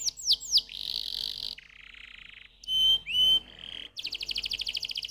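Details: Canary song that mixes a few sharp downslurs, buzzy rolls, and pure whistled notes, then closes with a rapid pulsing trill.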